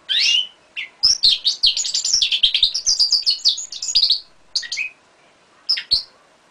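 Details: A five-month-old European goldfinch × canary hybrid sings a rapid, bright twittering song of high tinkling notes and trills.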